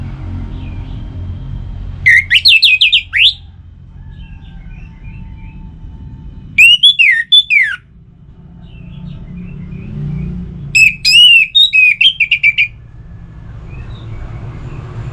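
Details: Orange-headed thrush song played to make kept birds sing; three bursts of rich, varied, fast whistled phrases with sweeping up-and-down notes, separated by quiet pauses with faint distant chirps and low background hum.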